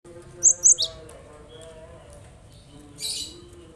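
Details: Cinereous tit song played to coax reluctant birds into singing: a quick run of three sharp, very high whistled notes, then a hissy, breathy burst, over a steady low electrical hum.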